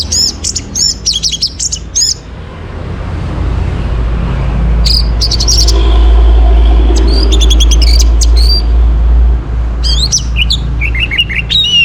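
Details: Orange-headed thrush song recorded in the morning as a lure to bring kept birds into breeding condition: quick bursts of high, warbling whistled phrases, then pauses, over a heavy low rumble of passing traffic.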